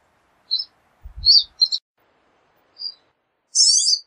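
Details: Pine siskin giving a few scattered high chirps, then a single harsh, wheezy buzz to finish.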